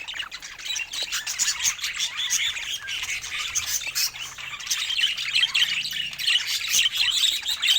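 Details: Budgerigars kept as pets warble and chirp without pause, a bright busy mix of short twittering notes, trills and squeaks from several birds at once.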